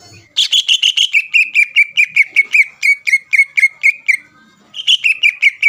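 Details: Contest greater green leafbird, kept caged, singing persistently to fire up rival leafbirds: a long, steady volley of bright repeated chirps about three seconds long, a brief silence, then a new fast run.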